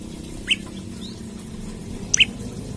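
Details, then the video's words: Olive-backed tailorbird calling in search of a rival, used to lure, trap or train birds: two loud, upward-flicking chip notes nearly two seconds apart, with a quiet low hum underneath. "Prenjak Lumut Gacor Nembak Cari Lawan Buat Pancingan/Pikat/Masteran Ampuh"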